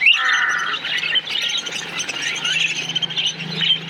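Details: A colony of parakeets chirping together, dense overlapping high chirps and squawky notes forming a continuous busy chatter, with a louder harsh call at the start and a faint low hum underneath throughout.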